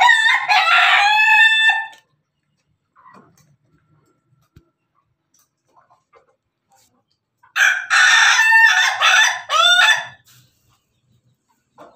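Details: Crowing rooster, a laughing chicken crossed with Pelung and Bangkok breeds: a two-second harmonic crow, a long near-silent pause, then a longer stuttering crow broken into several laugh-like segments.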